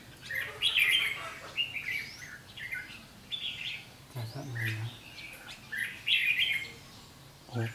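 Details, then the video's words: Ché fighting song of a red-whiskered bulbul challenging a decoy during trapping, 7 July 2016: loud warbled phrases repeated roughly every one to two seconds, some with upward-sweeping notes, occasional low human voices. "chim chào mào hót ché nạt mồi"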